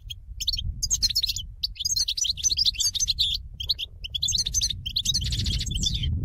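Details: Trapping call of a European goldfinch flock: continuous chattering of high, tinkling twitters and short trills from several birds, with low background rumble.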